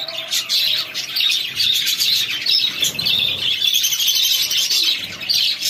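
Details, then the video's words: Chicks feeding, a dense chorus of high, thin peeping chirps from many birds overlapping continuously with no pauses. "Chicks feeding"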